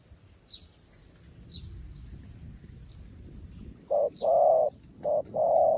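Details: A freshly trained spotted dove decoy calling out to wild doves. Quiet background with scattered high chirps from other birds gives way to four full coos, short and long in turn, near the end.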